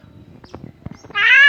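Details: Tame Javan myna producing one loud drawn-out nasal squawk after quiet rustling and soft clicks.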